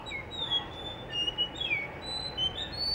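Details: Blue whistling thrush singing in Hunza near a guesthouse under construction; a string of high, pure whistled notes, some sliding down, others flat, given about once every half second against quiet low background noise.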